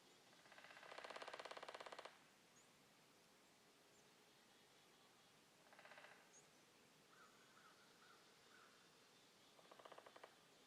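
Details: Woodpecker in the woods drums three rapid rolls: a long one of about a second, then two brief bursts. A faint whistled bird call comes between them.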